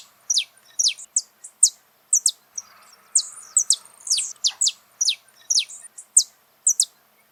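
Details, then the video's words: Wild saffron finch in full song in nature: a steady stream of high, clipped, downward-sweeping chirps, about two each second, irregularly spaced, with faint low hiss behind. "Canto do canário da terra"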